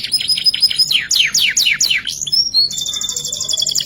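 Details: Canary singing ngerek-style filler phrases: a run of sharply falling whistled sweeps, two rising slurred whistles, then the start of a fast buzzy rattle of high pulses.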